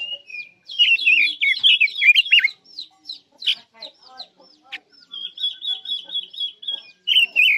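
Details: Chinese hwamei singing as a trapping lure: loud, rapid bursts of slurred, warbled whistles in varied phrases, then a steady run of evenly repeated high trilled notes, with a brief pause midway.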